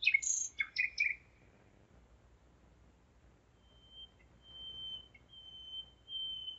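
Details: Common nightingale singing at 01:55 at night on 5 May 2017 in Zeitz, Germany: a burst of sharp chirping, rattling notes, a pause, then a long, thin, steady high whistle held for about three seconds.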